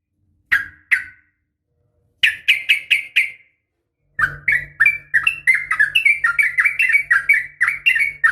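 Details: Female yellow-vented bulbul calling to provoke males to answer; a few spaced chirps, then a fast run of short, sharp, up-and-down notes around two per second, rising into a dense chattering series over a low steady hum.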